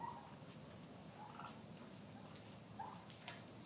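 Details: Pet wild turkeys (Meleagris gallopavo) called out of their tree roost in the morning for breakfast after a cold, rainy night of thunder, lightning and hail, giving a few soft, brief clucks and yelps against a quiet, hissy outdoor background.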